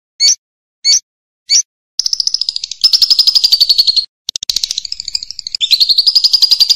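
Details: Champion lovebird singing, used to train other birds: three spaced sharp chirps, then rapid buzzy chattering trills broken by brief gaps, shifting slightly in pitch.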